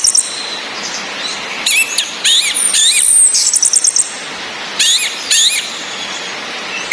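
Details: Orange-headed thrush female calling ngecis, intended to stimulate male birds' mating urge: grouped bursts of quick, upward-flicking chirps and a faint high whistle, repeated in clusters, over continuous rain.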